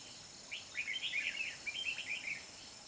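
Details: Red-whiskered bulbul decoy used for trapping, recorded 13 December 2020, singing a fighting song: a quick two-second run of bright, warbled, chattering notes with rapid rises and falls, over a steady high background hiss.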